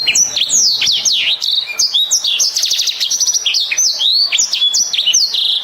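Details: Black-throated canary in loud, continuous song of quick slurred whistles, downward sweeps and a dense buzzy rattle in the middle, all high and bright, no other sounds.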